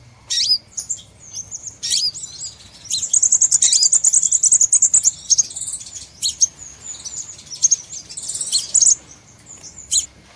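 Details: Crimson sunbird lure call for bird trapping: high sharp chirps, then a fast even run of high notes in the middle, followed by scattered twitters and trills.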